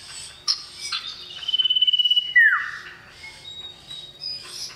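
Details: Male common iora calling a female, loud and lively: sharp high chips, then a level drawn whistle with a fast pulsing trill, a downward-slurred whistle, and scattered high chirps after.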